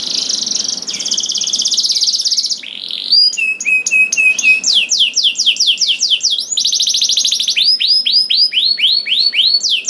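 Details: Canary song to spur other canaries into singing: a dense buzzy trill, then repeated short whistles, fast rolled tours and strings of swept notes, bright and high throughout.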